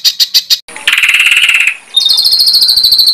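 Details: Bird song compiled as a master track for training contest birds: three quick high notes, then a sustained buzzy trill, then a shrill rapid trill on a steady high pitch.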